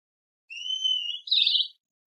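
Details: Great kiskadee calling: a long, clear, slightly rising whistled note with a faint higher overtone, running straight into a short, harsh, buzzy burst, all in a quiet, clean recording.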